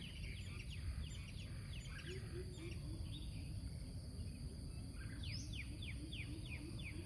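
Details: Bird at a very small reservoir: two quick runs of sharp, high chirps that slide downward, each run five or six notes. A low, evenly pulsed trill runs beneath, over a constant low rumbling background.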